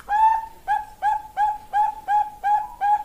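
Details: Bangkok-type zebra dove, a female calling to a male, lure song: eight clear, hollow, slightly down-curved cooing notes in quick succession, each about a third of a second apart, over a quiet background.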